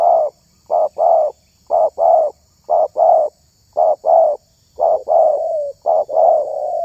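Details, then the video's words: Repeated hollow cooing from a spotted dove whose voice is considered special for luring wild doves: short-long note pairs about once a second in a steady rhythm, the last phrases drawn out and fading. "SUARA TERKUKUR INI SANGAT ISTIMEWA"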